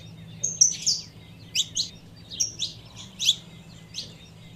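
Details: Female saffron finch calling to arouse the male, giving buzzy, slurred high chirps and one drawn whistle in scattered bursts, low hum beneath.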